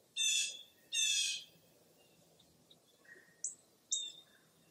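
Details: Wild birds at Mirror Lake State Park, Baraboo, Wisconsin, on a foggy early April morning. Two loud, raspy bursts open the sequence, followed by a quiet gap. Then come faint soft chirps and two sharp, high notes near the end.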